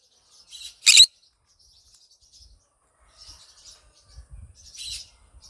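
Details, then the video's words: Green conure, said to be happy, vocalising in the morning: one sharp, harsh screech early, faint scratchy chatter, a softer rasping squawk later, and low thumping knocks in the background. "Green conure sing a song in the morning happy bird"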